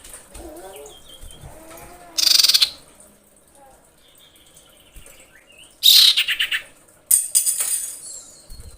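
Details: Female common iora in breeding condition, screaming to call males: three loud buzzy, rapidly pulsed bursts spaced a few seconds apart, with faint soft whistles and rustling between them.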